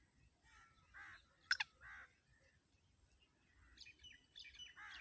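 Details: Black francolin (kala tetar, Sindhi nasal tetar) calling: a few harsh, buzzy, broad notes spaced about a second apart, with sharp clicks between and faint higher chirps from other birds in the background.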